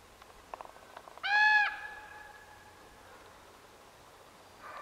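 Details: Juvenile common raven near Cold Springs campground, 5 July 2014, giving a single loud, nasal, drawn-out call held about half a second, with faint clicks before it and a quiet open-air background.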